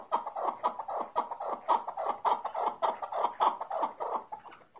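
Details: Keklik or chukar partridge in Tajikistan giving its song: a dense series of husky, rhythmic chuk notes, roughly two per second. The notes are slightly uneven and fairly soft, with no other clear sounds around them.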